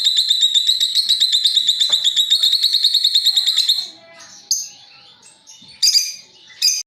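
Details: Lovebird long chattering ngekek used as a lure: a rapid, even, high buzzy trill of about ten notes per second lasting four seconds, then scattered shrill answering chirps.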